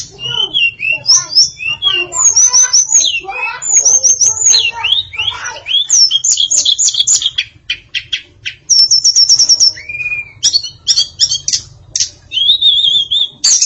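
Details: Long varied song of a female tledekan (hill blue flycatcher) with complete fill-in phrases: high whistled motifs, quick rattles of clicks, a buzzy trill, a low-pitched slur and a final wavering whistle, all in rapid succession.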